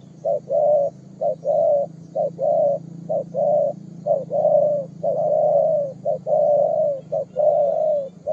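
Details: Young spotted dove calling vigorously: soft, hollow coos in a repeated pattern of a short note followed by a longer drawn-out coo, cycling steadily about once a second, over a low background hum.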